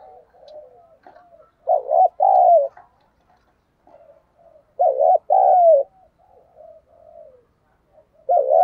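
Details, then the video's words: Decoy spotted dove in captivity cooing: soft low murmurs between two strong phrases, each a wavering note followed by a longer note that slides downward, a third phrase beginning at the end. "Chim Cu Mồi Thúc Bổi Và Gáy Gọi Hay/ Tiếng Chim Cu Gáy Thúc Gù Căng"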